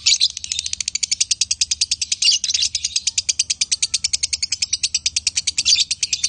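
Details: Male and female lovebirds chattering in konslet style: rapid high-pitched chirps strung together almost nonstop, slightly uneven in loudness, with brief louder bursts, over a faint low hum.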